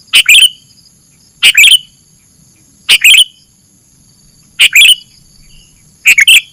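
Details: Sooty-headed bulbul lure song: five lively phrases of rapid twittering notes, roughly one every second and a half, bright and loud with a thin continuous tone running underneath.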